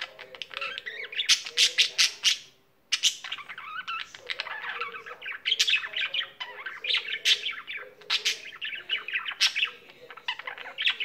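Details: Singing pet budgerigar pouring out a nonstop chatter of clicks, buzzy notes and fast twittering, with one brief silence before the rapid warble resumes.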